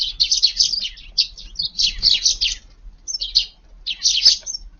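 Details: Garden sparrows moving about and eating at lunchtime in cold, strong wind; continuous high chirping chatter from several birds with a brief lull midway.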